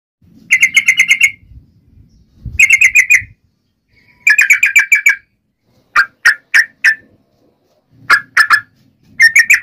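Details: Yellow-vented bulbul in energetic fighting song of the nggaruda ropel style, used to provoke other bulbuls into answering. Short bursts of rapid, chattering notes alternate with quick spaced chirps, separated by brief silences; faint low rumble underneath.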